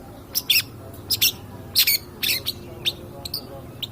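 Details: Lure recording of a vocal long-tailed shrike of the 'pastol' type, used to stir other birds: a rapid run of scratchy, buzzy high bursts and doubled rasps, irregularly spaced, some louder, others softer, with faint hiss behind.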